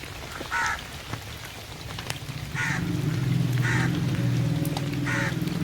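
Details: Crow calling in rain: four harsh, hoarse caws spaced about a second apart over steady rainfall, with scattered drop clicks and a low droning hum underneath.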